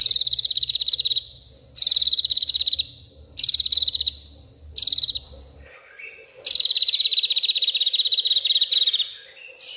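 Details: White-rumped shama singing at night in an agitated state, producing learned imitations of garden sounds: five bursts of fast, cricket-like high trills, each about a second long and gently descending, with a low hum behind the first half.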